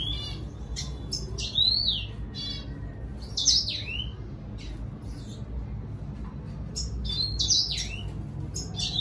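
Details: Red siskin song aimed at a female: clear high whistled notes sweeping down then up, mixed with quick clicks and chips, delivered in three bright bursts across the phrase.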